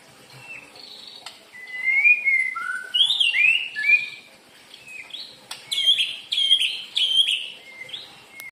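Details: White-rumped shama singing as a lure for other birds: slurred whistles and warbles building to a run of rapidly repeated high sharp notes near the end.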